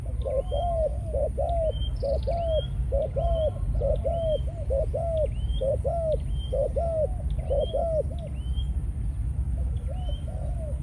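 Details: Decoy spotted dove, Malaysian line, in breeding mode after ground-feeding conditioning: long steady series of doubled arched coos, roughly one cluster per second, with frequent thin rising chirps from other birds and low background rumble.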